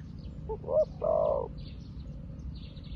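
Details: Newly acquired decoy spotted dove calling wild doves: a single phrase of two short notes and a long drawn coo, followed by quieter background with faint high chirping of other birds.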